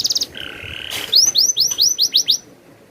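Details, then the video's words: Canary giving its rolling song: a short buzzy steady note, then a rapid series of high, sweeping whistled notes repeated several times a second. "suara burung kenari ngerolll"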